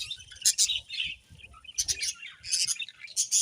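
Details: Short bursts of shrill, buzzy budgie chirps and squeaks come in quick clusters separated by quieter moments.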